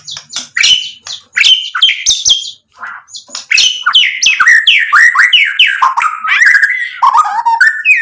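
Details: White-rumped shama singing a dense 'full isian' medley to stir rival birds into answering: rapid, crowded whistles, chatters and downward-slurred notes with barely a break.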